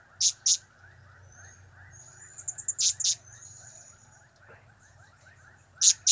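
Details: Blue-crowned hanging parrot giving sparse call notes from its cap-cap, kiak-kiak and crap-crap trio: two shrill ticks, a soft fluttering trill and thin whistle, two more ticks, then a final pair.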